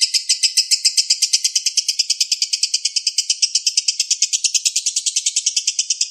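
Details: A lovebird pours out a long, unbroken, shrill and steady high chatter of rapid notes, about seven a second, with no other sounds; a master recording meant for songbirds to imitate.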